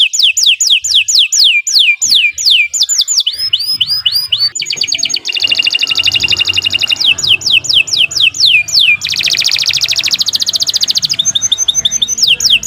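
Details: Canary with long unbroken song used as a model for other songbirds: runs of descending whistled notes alternate with long, buzzy, rattling rolls and dense high trills, the bird changing phrases every few seconds.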